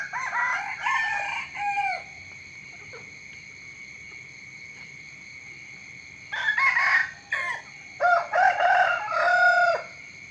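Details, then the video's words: Several roosters crowing one after another in the morning. A crow ends at the start, then there is a quiet gap. Two more bursts of crowing follow, the last a long wavering cock-a-doodle-doo, over a steady high whine. "เสียงไก่ขันตอนเช้า เสียงไก่ขันฟังต่อเนื่อง"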